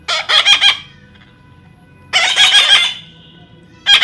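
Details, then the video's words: Baby parrot being hand-tamed, giving harsh, raspy screeching squawks in two bursts of rapid pulses, with quiet background hum between them. "natural funny parrot sound"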